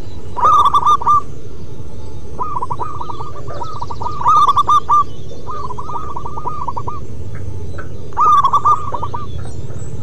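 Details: Zebra dove, a local wild-type bird, singing from its perch: a series of cooing notes with a quick trilled, rolling quality, repeated in bursts every few seconds, over steady low background hum.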